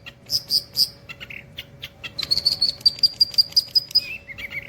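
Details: Long-tailed shrike giving nembak cililin song without pause. Several high chirps, then a quick evenly repeated string of thin high notes, ending in lower buzzy notes.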